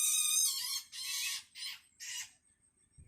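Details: Hungry Long-tailed Shrike chick calling its parent: four loud, coarse rasping calls with a trembling quality, the first long and the rest shorter, separated by short silences.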